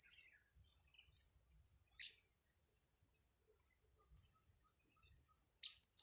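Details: Blue-crowned hanging parrot at a luring session on grass, giving rapid bursts of sharp, very high, buzzy chirps in irregular runs with brief pauses, backed by a constant thin high tone.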